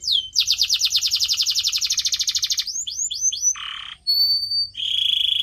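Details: Canary song for pet-bird training: a long fast trill of repeated notes lasting over two seconds, a few swooping whistles, a low buzzy note, then a level whistle and a steady rattle.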